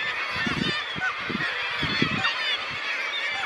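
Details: A dense kittiwake colony at Ekkerøy, Norway, on 2 June 2018 gives harsh, nasal calls that overlap into a constant clamour, with rhythmic low bursts every half second or so.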